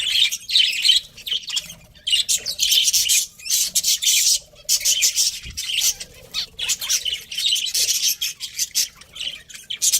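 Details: Caged pet budgies, a breeding pair, giving harsh squawks and fast chirps in irregular bursts, dense high chatter with short silences between phrases.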